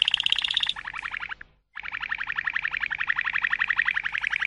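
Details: Malinois canary singing rapid pulsed trills, a short silence, then a long even roll of quick rising notes repeated several times a second.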